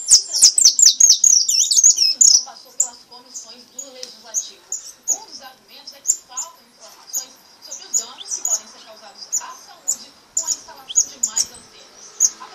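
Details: European goldfinch of the brown 'pardo' form singing a 'repique' style song: a dense, loud burst of high twittering and trills for two seconds, then bright clipped chirps repeated about twice a second, some notes doubled.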